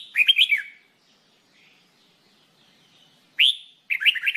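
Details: Singing training of a red-whiskered bulbul: a rich warbling phrase, a pause, then a single rising whistle straight into another tumbling run of bubbly notes.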